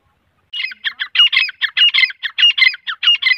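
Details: Grey francolin (teeter), male and female calling together: harsh, squawky notes delivered in a rapid, slightly uneven series, about fourteen bursts in under three seconds after a short silence, with no other sounds.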